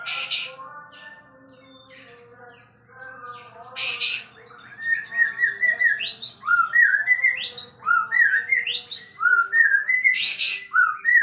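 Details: A sooty-headed bulbul in vigorous full song while spreading its tail. After a quiet start, rapid chains of sweet, upward-sweeping whistled notes follow one another quickly. They are broken by short, harsh hissing bursts.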